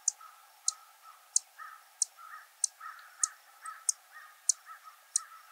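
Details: Savannah sparrows near Lake Placid, Essex County, on 19 June 2023, in breeding season, give about nine short, dry, very high, thin chip notes, roughly one every two-thirds of a second, over soft low background murmur.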